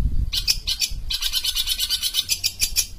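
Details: Long-tailed shrike from Sumatra, singing vigorously: dense bursts of high, scratchy chirps and buzzy trills run almost without pause, with faint low rumble underneath.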